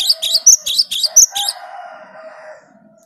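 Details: Gelatik batu, the cinereous tit, in clear song: about seven sharp high double-note phrases in quick rhythm, followed by a softer lower buzzing rattle that trails off.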